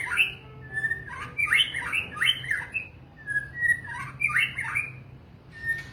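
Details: White-rumped shama singing a choppy series of whistled and scratchy notes in two bursts with a brief pause between. A steady low hum sits in the background.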